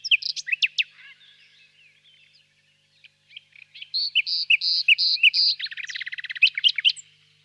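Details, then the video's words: Nightingale singing quietly far off in a birch grove on a warm spring evening: sharp staccato notes, a pause, then loud paired slurred phrases leading into a rapid, even, machine-gun trill. "Пение соловья"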